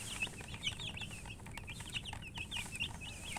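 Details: Chorus of chicks, young chickens, with rapid high peeps, each a short rising-then-falling chirp, tumbling over one another at a brisk pace over a low background rumble.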